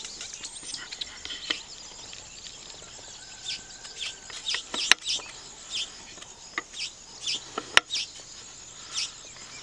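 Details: Weaver birds at nest building: short, high, buzzy bursts repeated irregularly over a faint background hiss, with a couple of sharp clicks.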